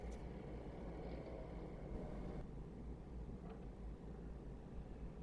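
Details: Continuous low engine and traffic drone outdoors with a brief faint squeak; no animal voice is present.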